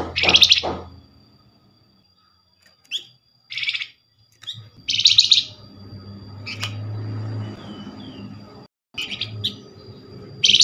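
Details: Lure call of the Flamboyan, meant to prompt answers from other Flamboyan birds: loud, grating, buzzy bursts of about half a second, separated by pauses, over a faint low hum.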